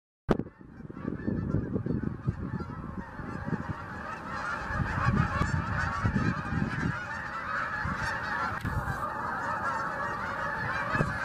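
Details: Canada geese during migration time, a flock giving dense overlapping honks, many birds calling at once in a continuous clamour throughout, with low rumbling background noise.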